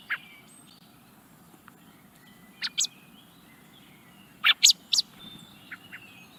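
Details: Young common blackbird in the Netherlands calling close by: scattered sharp, very brief high chips, some in quick pairs, with soft thin notes between them and a low outdoor background hiss.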